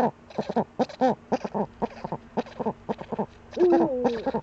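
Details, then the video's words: Eurasian eagle-owl cackling and scratching in the nest niche, webcam, 28 February 2013: a rapid run of short, harsh notes, about four per second, then a longer wavering tonal note near the end. "Uhu gackert und scharrt in der Brutnische"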